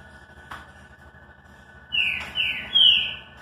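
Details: Green-winged saltator (Saltator similis) classic song: three clear, rising whistled notes in quick succession, each stronger than the last, over a faint steady hum.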